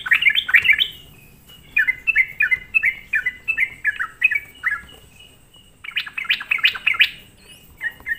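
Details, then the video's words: Sooty-headed bulbul song used to provoke other bulbuls, opening with loud rich notes, then a string of quick falling chirps, a short gap, and a final excited burst of dense bright notes. "semua burung trucuk di buat emosi dengan suara pancingan trucukan gacor ini"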